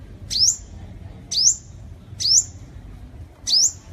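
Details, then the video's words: Sunbird, recorded as a clean lure track for attracting birds, giving a thin, very high rising whistle note about once a second, four times, each sharp and upswept, over a faint low rumble. "Tiếng Chim Hút Mật 7 Màu || Hút Mật Xác Pháo"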